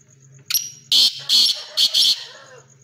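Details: Black pheasant kept as a hobby, giving four harsh, raspy, hissing bursts in two close pairs after a short click, over a steady high thin whine and faint low hum.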